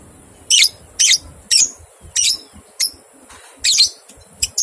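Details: Lovebird ngekek song, recorded as training material for two-month-old young lovebirds: rasping, shrill bursts repeated roughly every half second, then a few softer, shorter notes, over a faint steady hiss.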